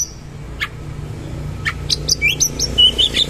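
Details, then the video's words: Oriental magpie-robin (kacer) singing in the 'gacor' manner with 'isian mewah' fill: a few soft notes, then a quickening string of high, thin whistled chips against faint low background hum. "KACER GACOR MATERI KASAR ROLL TEMBAK ISIAN MEWAH"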